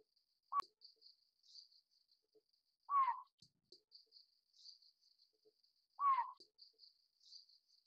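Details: Juvenile Collared Scops Owl, Taiwan endemic subspecies glabripes, repeating a rasping descending call about every three seconds, three calls in all, over a thin continuous insect chirring.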